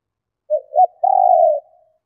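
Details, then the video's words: Cooing of a female spotted dove, meant to excite males: two brief soft notes followed by one long, steady, throaty purring coo, with no other sounds. "Tiếng Chim Cu Gáy Mái Kích Bổi Nhanh Gáy"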